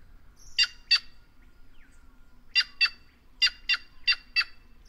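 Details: Loud, grating double notes from a white-naped jay, a Brazilian caatinga corvid: one pair, a short pause, then three more pairs in quick succession, with a thin whistle faintly underneath.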